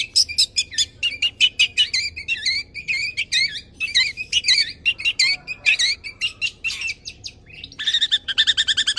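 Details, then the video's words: Tame champion long-tailed shrike (cendet or pentet) in full mimicked-phrase 'nembak' song, used to prompt and tutor other birds: rapid, varied wavering chattering notes, ending in a fast buzzy trill. "BURUNG CENDET JINAK GACOR JUARA SUARA FULL ISIAN NEMBAK"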